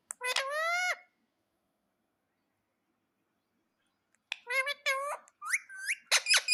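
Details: Pet parrot giving one long harmonic screech, then a three-second silence, then a quick run of squawks and short upswept chirps with clicky bursts at the end.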